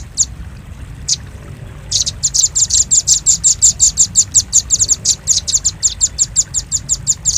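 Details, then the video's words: Lure call of a velvet-fronted nuthatch for attracting birds: two isolated sharp chips, then a long, regular trill of bright high notes repeated several times per second. "Suara pikat burung rambatan paruh merah paling ampuh"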